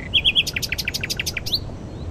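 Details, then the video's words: Spring dawn song of a newly arrived migrant nightingale in a thicket at Glapthorn Cow Pasture, Northamptonshire, UK, in high wind, around mid-April; three loud whistled notes followed by a rapid run of sharp, bright repeated chips and a final rising note. "nightingale singing at dawn"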